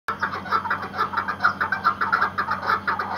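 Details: Iraqi white hunting partridge, a tethered decoy bird, calling in a rapid series of short, harsh clucking notes, about five a second, with steady low electrical hum behind.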